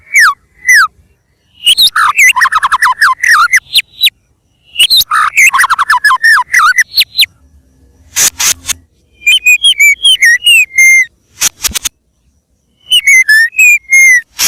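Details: White-rumped shama in vigorous song, meant as a lure recording: bursts of quick, jumbled whistles and chattery notes separated by short pauses, with some harsh rasping bursts between phrases.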